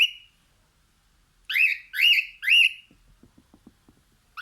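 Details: Singing while looking out a window, a cockatiel gives three loud, whistled calls in quick succession, each sweeping up and dropping, followed by faint clicking and one more call.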